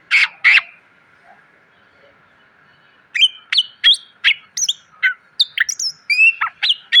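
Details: Greater green leafbird song, a full, varied repertoire used as a master recording for training cage birds: two loud notes, a pause, then a quick run of bright whistled and chirped notes at varied pitches, over a faint steady hum.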